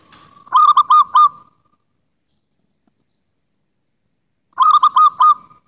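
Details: Local wild zebra dove (Geopelia striata) song: two soft, clipped cooing phrases of four quick mid-pitched notes each, separated by a few seconds of silence.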